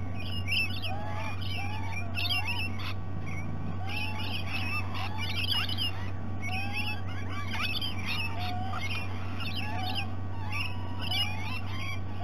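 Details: Several rainbow lorikeets at breakfast time, BirdLife Australia Discovery Centre, Sydney Olympic Park, Australia: dense, continuous chattering of overlapping shrill squeaks, whistles and screeches, with a steady low hum underneath.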